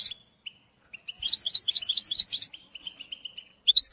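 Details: Goldfinch song for schooling a young bird: sparse single chips, then a burst of liquid jumbled twitters, more soft spaced chips, and a final bright flourish.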